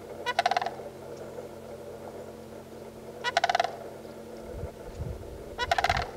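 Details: A pair of Sandhill cranes duetting, bugling in three loud, rattling bursts about every 2.5 seconds, each a quick run of rolling, trumpeting notes, with low rumbling noise underneath.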